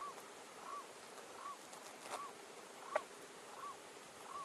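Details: Blue-eyed ground dove in Minas Gerais, Brazil, foraging while repeating gentle, rounded hoot notes at a regular pace of about one every 0.7 seconds, over faint hiss with a single sharp tick.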